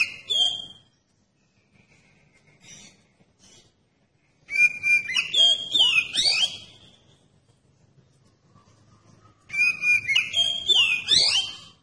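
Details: Oriental magpie-robin song meant to provoke other magpie-robins into singing, delivered in three bursts of rich whistles, sweeping slurs and sharp downward notes, separated by quiet gaps of a few seconds.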